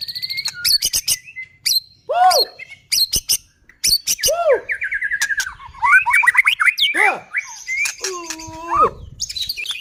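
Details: White-rumped shama song aimed at provoking rival shamas: sharp clicks and short whistles, loud dropping squeaks, then a fast series of rising and falling whistled notes and a low buzzy phrase near the end.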